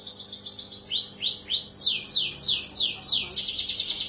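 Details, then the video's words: Energetic canary song known as 'gacor', played to coax a canary that has stopped singing: a high rolling trill, then a row of swooping, rising-falling notes about every third of a second, ending in another rapid trill. "Suara Kenari Gacor Pancingan kenari macet bunyi"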